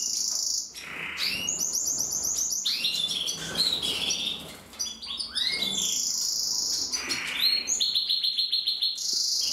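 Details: Red agate mosaic canary singing a continuous, rich song of rapid trilled rolls, buzzy high tours and whistled slurred notes, with repeated fast note series and almost no pauses.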